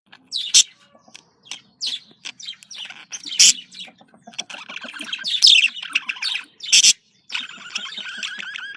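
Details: Domestic budgerigars, female and male, with calls used to stimulate breeding: long run of varied chirps, clicks and scratchy warble, with sustained nasal tones and a few loud sharp squawks.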